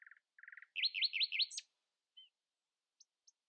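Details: Common nightingale singing in the early morning, keeping rivals from outsinging it: two short buzzy trills, then a loud run of four swooping rising notes ending in a high flourish, followed by a soft whistle and sparse high ticks.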